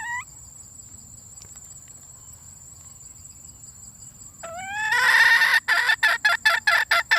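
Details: Female red junglefowl: a short rising note, then after a pause a longer upward-sliding note leading into loud, harsh, rapid clucks repeated roughly three times a second, over steady high insect trilling.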